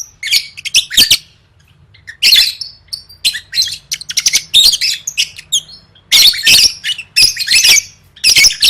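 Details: Lovebird trained for singing contests, delivering gacor gantang chatter: dense runs of scratchy, squeaky notes, a pause near the start, then nearly unbroken harsh twittering.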